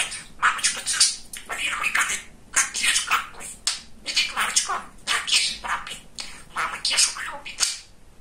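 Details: A talkative, funny young male pet budgerigar, kept indoors, chatters without pause. Dense bursts of scratchy, buzzy warbling and quick speech-like syllables run throughout, broken by very short gaps.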